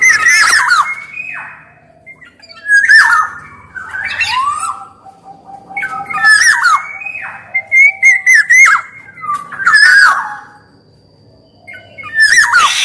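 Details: Black-naped oriole, male and female, singing for luring and training other orioles: mellow whistles mixed with raspy squawks and sharp high clicks, phrases coming every one to two seconds with short gaps.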